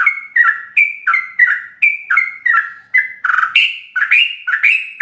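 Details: Sooty-headed bulbul's ropelan song packed with varied fill-in phrases, meant for tutoring captive bulbuls: bright whistled note pairs in quick succession, shifting higher and more strident toward the end.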